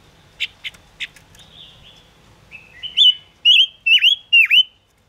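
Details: Song of chim ngũ sắc (Gouldian finch), played to lure birds into traps. Brief chirps lead into a soft thin whistle, then four loud ringing notes that each dip down and rise again, spaced about half a second apart.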